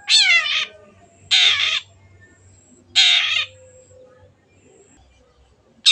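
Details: Long-tailed shrike, lively singing used to coax birds into song: long, hoarse, scratchy notes repeated roughly every one and a half seconds, each dense and buzzy, with a low hum behind.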